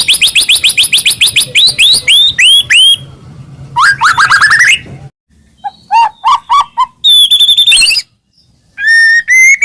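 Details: White-rumped shama masteran for coaxing other shamas to sing: a fast volley of sharp whistles, a sweeping buzzy phrase, then scattered clipped notes and clear rising whistles after short silences.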